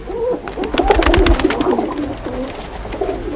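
Pigeons cooing in low, throaty, rolling murmurs that overlap, with soft clicks and flapping noises in an enclosed space.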